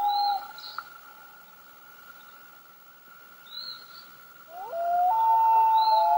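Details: Loon vocalizing: a brief held tone, a long quiet pause with faint high notes, then a rising wail that swoops upward into a long sustained, slightly wavering note.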